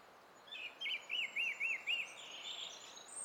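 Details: Song thrush singing on 20 April 2016. It repeats the same short arched whistle five times in quick, even succession, then moves into a softer warbling phrase against faint outdoor background noise.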